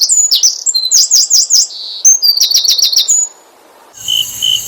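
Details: Asian brown flycatcher song, played to provoke other birds into singing: rapid, very high chattering phrases with quick runs of sharp repeated downslurred notes. A short pause follows, then a steady high buzzing tone to the end.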